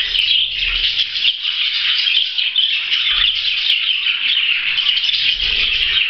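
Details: Budgerigar; warble; courtship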